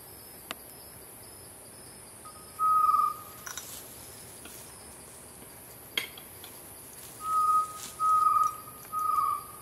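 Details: Chestnut-necklaced partridge (Arborophila charltonii) at Bukit Wang gives clear, steady mid-pitched whistles, one alone and then three about a second apart, over a constant high insect hiss.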